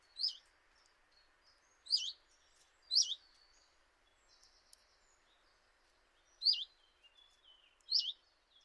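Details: Common chiffchaff (Phylloscopus collybita) at a kitchen window in Eibar, early March 2018, giving five short, rising 'hweet' calls at uneven gaps of one to three seconds. Faint chirps from other small birds sound in the background.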